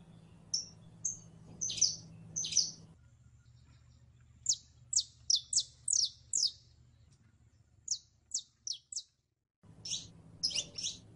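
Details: Saffron finch, known as canario criollo, singing prelono: high chirps and short whistles, then a long fast series of steep downward-sweeping notes, a second sparser run, and closing doubled chirps. Low hum drops out midway.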